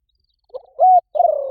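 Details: Spotted dove cooing as a calling lure meant to make other spotted doves coo back at once: a short low note, then a loud sustained coo, then a longer wavering coo trailing off, on a quiet background.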